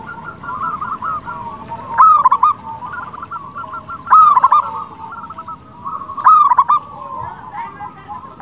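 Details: Zebra dove of a local strain, a keen singer, its song played to provoke other doves into replying; three loud rolling coo phrases arrive roughly every two seconds, with quieter trilled cooing continuing between them.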